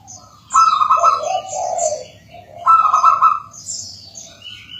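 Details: Persistent song of a local zebra dove, meant to prompt other doves to sing: two trilled coo phrases about two seconds apart, each a bright high note dropping to a rolling lower coo; distant high twitters.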